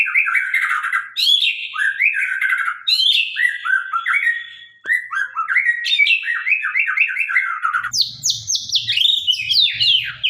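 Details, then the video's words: Sabang-type white-rumped shama singing with a sharp voice: a long, varied run of loud whistled phrases, sliding notes and chattering trills, with a brief pause midway and a soft low hum near the end. "murai batu gacor murai sabang suara tajam"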